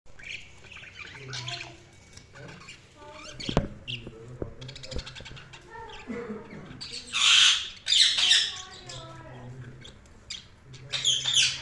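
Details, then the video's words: Budgerigar chirping: scattered soft warbling notes and clicks, then louder bursts of harsh, scratchy chatter around the middle and at the end, with quieter pauses between. "Budgies Chirping sound"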